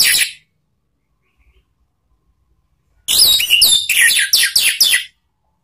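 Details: Orange-headed thrush lure song for training cage birds, ngeplong and ngeriwik styles: the end of one phrase, a pause, then two seconds of rich downward-slurred whistles and warbles in quick succession.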